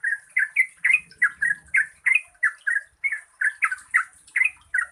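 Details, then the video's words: Long rapid lure song, 'gacor ropel panjang' style, from a Yellow-vented bulbul for prompting reluctant singers: lively, liquid, bubbling notes roughly three per second, with faint low noise early on. "Pancingan Trucukan Gacor Ropel Panjang COCOK untuk BURUNG TRUCUK MALAS BUNYI"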